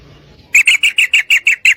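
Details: Single burst from a female yellow-vented bulbul calling for a male to mate: eight sharp, loud chirping notes in quick even succession after a brief quiet start.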